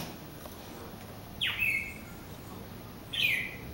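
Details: Singing bird at a glass door, reacting to its reflection; two brief, slurred high chirps separated by a pause, with faint steady background noise.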